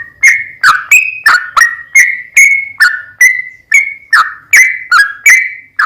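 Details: Lure recording of a chatty sooty-headed bulbul to make another bird sing: bright whistled notes in steady succession, alternating flat and falling shapes, each with a crisp attack.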